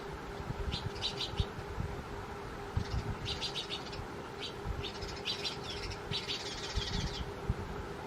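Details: At a cardboard nest box quickly adopted by house sparrows, bright chirps come in repeated bursts about every second or two, some quick and stuttering, against a low rumbling hum and faint steady drone.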